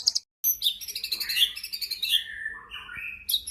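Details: Energetic white-rumped shama song used to spur other shamas to sing, with crisp high chirps, a dense chattering stretch and descending whistled phrases that slide lower toward the end.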